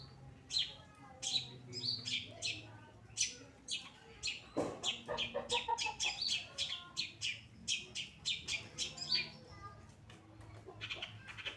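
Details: Pastol long-tailed shrike, singing vigorously for a recording used to train other cage birds: a dense, fast string of sharp chirps, squeaks and scratchy notes in rapid succession, with brief pauses between bursts.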